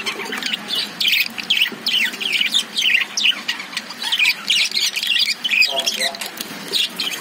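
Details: Chattering of caged lovebirds, kept alongside budgies: sharp, high chirps and short squawky notes in quick runs, pausing briefly between bursts, many birds overlapping.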